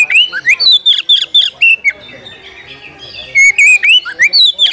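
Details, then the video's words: Oriental magpie-robin calling for a rival to fight, meant to rouse aggression and tail-spreading: bursts of loud whistled, rising and falling notes, about two per second, with a short quieter pause midway before the phrases resume. "panggilan kacer mencari lawan tarung biar tambah ngotot buka ekor bongkar materi full emosi"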